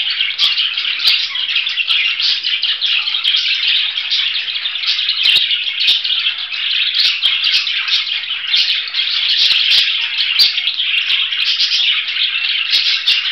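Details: Long, unbroken budgerigar chatter of dense buzzy warbling and chirps, sprinkled with frequent small clicks and taps.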